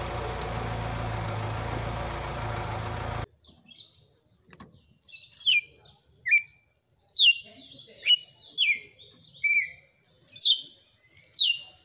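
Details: Kept red-cowled cardinal singing a powerful açoite song: after three seconds of loud broadband noise, bright whistled phrases start, each a sharp downward slur, coming roughly once a second and growing louder.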